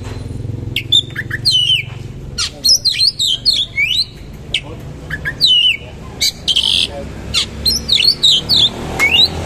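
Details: Oriental magpie-robin pouring out harsh-material 'roll tembak' song with rich fill. Rapid runs of scratchy chatter and bright slurred whistles come in dense bursts about every half second, over low background noise.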